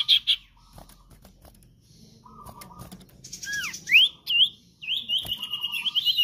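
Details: Common iora in lively song, recorded as a master track for luring and training cage birds: a few short whistles, then sharp slurred up-and-down whistles and a quick wavering trill, with faint low background hum.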